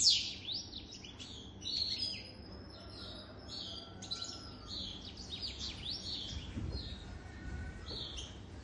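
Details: Rather faint, steady stream of high twittering notes and quick trills from a European goldfinch aged over three years, against a low rumbling background.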